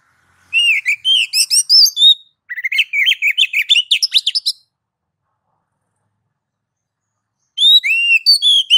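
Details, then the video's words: Oriental magpie-robin (kacer) in loud, clear ngeplong style, played as a master recording to prompt other kacer to sing. Three bursts of rapid, varied whistled and chattering notes, high and bright, separated by silent gaps. "MASTER DASAR KACER NGEPLONG MEMANCING KACER AGAR CEPAT BUNYI GACOR Birds Song Kacer"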